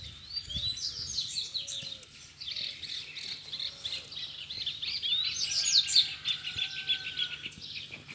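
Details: Double-collared seedeater song in a rival-challenge session between a caged male and free wild males. Continuous high twittering with fast slurred chirps and bright rising notes over about eight seconds, plus a few faint lower calls.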